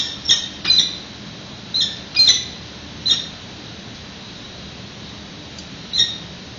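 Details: Peregrine falcons at a nest on a PG&E building in San Francisco, 25 March, during a prey delivery by the male to the incubating female: a few sharp, high, harsh chips in short bursts, irregularly spaced, over steady hum.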